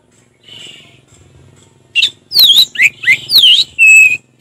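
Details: Orange-headed thrush in ngeplong song: after a faint opening note, a run of loud, rich whistles that swoop down and rise, each short phrase repeated about twice a second.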